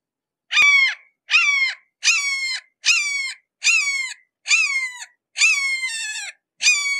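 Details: Red-shouldered hawk heard at close range, giving loud, harsh, ringing screams that drop slightly in pitch, repeated steadily about once a second in a clean series with silence between calls.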